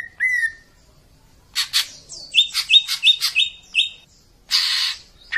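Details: Greater green leafbird (cucak ijo) training song with harsh bursts: a whistled note, then raspy buzzy bursts and a quick series of clipped chirps, ending in another loud harsh burst.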